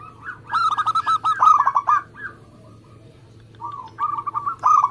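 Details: Fast-singing local zebra dove, used to lure and prompt other doves: a rising lead-in note, then a tight run of rapid hooked coos, a lull with soft murmured notes, and another quick burst starting at the end.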